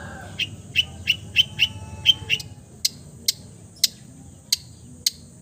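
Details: Mimicking long-tailed shrike gives a run of short sharp ticks and chipping notes, first quick and clustered, then spaced singly about every half second.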